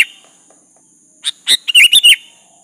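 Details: Vocal sooty-headed bulbul calling out to a rival, a lure recording: after a pause, one quick burst of four or five bubbly, warbled whistles, with a faint constant high whine behind.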